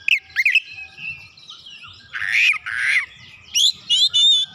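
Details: Kacer, the oriental magpie-robin, responding eagerly while showing its learned repertoire: two twisting whistles, a faint held tone, two loud rasping harsh bursts, then three bright ringing whistled notes.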